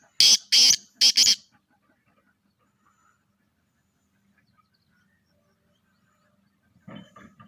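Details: Kala teetar, or black francolin, of pure Charngi stock, calling with three harsh, grating notes in quick succession, the last two run close together. A fainter rasping phrase follows near the end over quiet background.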